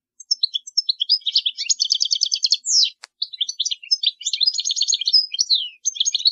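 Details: European goldfinch song for teaching young birds: rapid tinkling twitters and buzzy trills, with fast repeated notes and downslurred whistles, a brief click midway, continuous phrases with short pauses, no other sounds.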